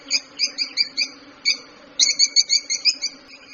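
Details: Lovebird uttering a run of ringing, nasal chirps at an even pace, pausing briefly and then resuming with a quicker, louder series of bright notes.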